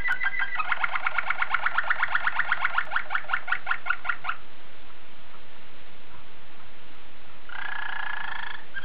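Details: Waterslager canary from Belgium in song, delivering a fast rolling trill of about twenty evenly spaced bright notes over four seconds, then a pause and a short buzzy burst, with steady background hiss.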